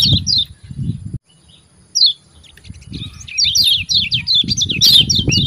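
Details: Kecial kuning white-eye, a lure for training caged white-eyes: a few isolated high downslurred chirps, then a lively rapid series of 'ciak' notes with low rumbling underneath.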